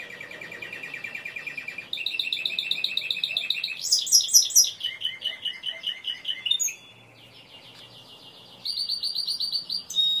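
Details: Timbrado canary song with a rapid low trill, a brighter rolling series, a loud high burst of repeated notes, then a brief pause before the trilling resumes.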